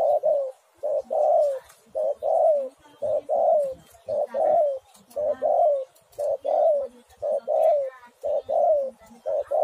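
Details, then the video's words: Spotted dove song serving as a lure to make doves sing: steady run of hoarse, slightly descending coos, nearly one per second, grouped in pairs and triplets with brief pauses, faint chirping in the background. "tekukur super gacor sekali putar langsung nyaut"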